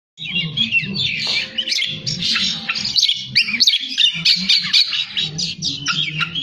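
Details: Oriental magpie-robin singing in the tretes style, filled with imitations: a continuous high, varied stream of quick whistles, chirps and rapid trills, over a low murmur of background noise.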